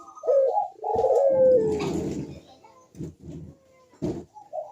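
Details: Cooing ringneck dove (puter), used to stir lazy doves into calling. A short coo leads into a long, falling coo, overlapped by a broad rustling or clattering noise. Several brief knocking sounds follow.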